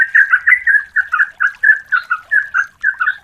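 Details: Yellow-vented bulbul, a female calling the male, used to lure: continuous bubbling, liquid phrases in pairs of notes, repeated about twice per second with a slight rise and fall.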